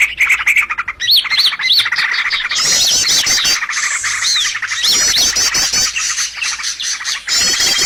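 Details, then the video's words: Chorus of birds used as a trapping lure, opening with rhythmic pulsed chatter, then rising and falling whistled phrases and fast high twitters stacked over one another. "SUARA PIKAT BURUNG"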